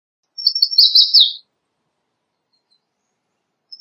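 An American redstart gives a brief, high, thin song of about six quick sibilant notes, ending in a sharper downslurred note, followed by silence.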